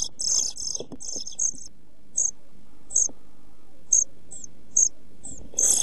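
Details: Pied flycatcher nestlings aged 11-12 days in a nest box, nearly ready to fledge, filmed by nest-box camera on 29 June 2013; very high, thin begging notes, clustered at first then spaced singly about every second, with soft rustles.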